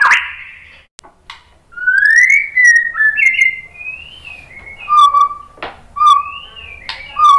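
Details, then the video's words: White-rumped shama singing a lure meant to make other shamas respond: varied slurred whistles rising and falling, separated by short pauses and sharp clicks. "memancing BUNYI ‼️ MURAI BATU jadi NYAUT ikut GACOR BONGKAR MATERI ¦ PANCINGAN MURAI"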